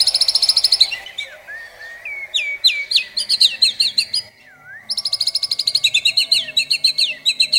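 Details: Shama (murai batu) singing a long, intense master phrase: a very fast trill of high notes, varied swooping whistles and upslurs, a soft low wavering whistle, then another rapid machine-gun trill of sharp notes.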